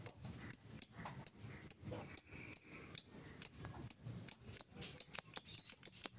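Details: Lovebird in ngetik style, a lure to set other lovebirds singing: sharp, high ticking notes repeated about every half second, quickening into a rapid run near the end.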